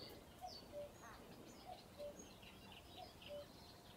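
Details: At RSPB Ham Wall Nature Reserve, Somerset, UK, a Common cuckoo repeats its two-note falling cu-coo three times, evenly spaced, over light birdsong and outdoor ambience.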